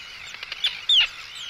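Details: Arctic tern giving anxiety and threat calls at an intruder, recorded close up at a colony; two sharp, high downslurred cries stand out over a faint background of other calling terns.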